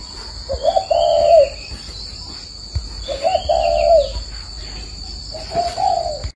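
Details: Morning cooing of a spotted dove in Ba Vì, Vietnam, near the end of a 45-coo bout. Three soft, slightly wavering coo phrases come a few seconds apart over low background hiss.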